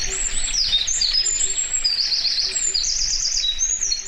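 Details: Eurasian wren singing in Karuizawa Wild Bird Forest, Nagano, Japan, May 2019, captured binaurally: piercing high twitters and buzzy rapid trills in a continuous run, accompanied by low paired hoots repeating behind.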